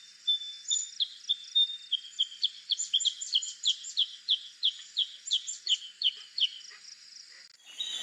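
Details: Black-crested bulbul giving a lively run of bright, high chirping notes, quick and uneven, about three per second for some seven seconds, then falling quiet against a clean background.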